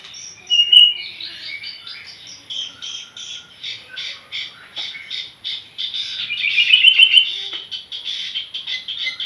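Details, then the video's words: Young long-tailed shrike learning to sing: a long, steady run of scratchy, buzzy high chatter with rapid uneven notes, about three per second, and a louder squeaky burst near the end. "burung cendetbmuda belajar bunyi"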